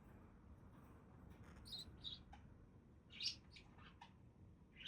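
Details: Budgies calling with brief, high, clipped chirps, several notes spread irregularly over a few seconds above a constant low rumble.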